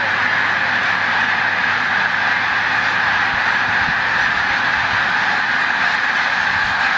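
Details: Snow geese on migration nearing its peak at Montezuma, New York, 7 March 2022; a loud, steady wash of overlapping honking calls, with a low droning hum in the first half.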